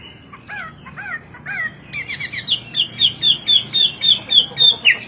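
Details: Hwamei, a songbird native to China and imported into Indonesia for its melodious, varied song, singing in 'kowor kowor' style: three slurred downward whistles, then a fast run of bright, clipped notes repeated about four times a second.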